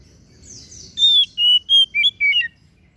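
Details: Oriental magpie-robin, kacer daput type, giving a short burst of clean whistles: five or six separate ringing notes, each held briefly, some steady and some falling, after a faint high scratchy trill.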